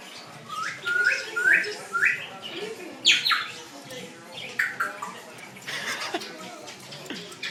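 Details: Parrot in a pet store giving a series of short, sharply rising squawks, several close together, then a louder harsh cry, with people talking in the background.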